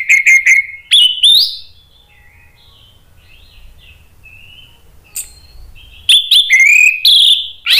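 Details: Agitated by a lure recording, an orange-headed thrush answers ngeplong-style: quick chirps and rising whistles, a quiet pause with distant soft whistling, then another loud, varied burst of warbled notes.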